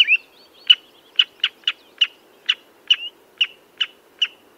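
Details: Redshank with slower spaced calls: about a dozen sharp, high notes at irregular gaps of a quarter to half a second, some ending in a brief upward slur. The pauses between them are quiet.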